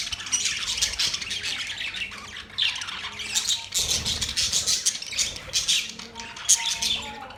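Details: A group of budgerigars chirping, with bursts of scratchy squawks and fast warbling notes rising and falling in loudness.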